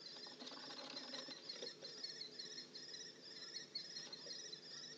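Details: House sparrows together in a nest box give thin, high chirps in short bursts about twice a second, a steady, close chatter over a faint background hiss.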